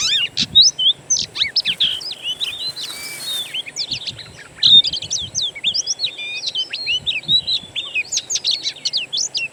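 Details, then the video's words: Oriental magpie-robin song in a wild-bird recording played as a lure to get a kept bird singing: dense, continuous run of sharp high whistles, slurred notes and chirps, many overlapping, over a low steady hum. "PANCINGAN KACER; masteran burung alam sangatlah ampuh"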